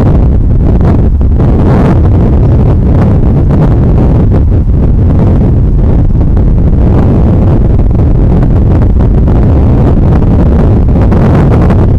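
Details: Strong steady wind buffets the microphone with a deep low rumble throughout, and no animal calls are heard.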